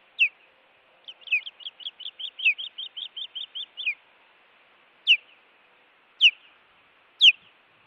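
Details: Osprey on a Montana nest camera, 16 June 2017, reacting to an intruder: a sharp chirp, then a fast series of about fourteen rapid piping notes, followed by three loud, spaced, down-slurred whistled chirps.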